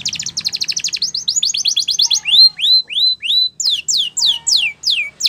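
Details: Canary singing a training song: a fast high trill slows into evenly spaced arched whistled notes, then longer falling slurs about every third of a second.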